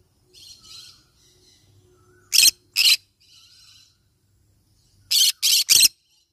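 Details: Harsh screeching calls of a yellow-sided conure parrot: a pair of loud rasping bursts, then after a pause three more in a fast row, with faint chatter between them.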